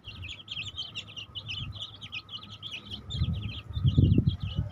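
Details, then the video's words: Baby chicks keep up a steady stream of high, short chirps, several per second, while low rumbling knocks grow louder in the last couple of seconds. "Baby Chicks Chirping Sound"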